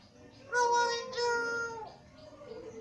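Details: Common hill myna from northern Thailand, Chiang Mai, talking and reciting Thai blessings for wealth, well-being, long life and 'sathu'. Two drawn-out, voice-like syllables with rich harmonics, the second sliding downward at its end.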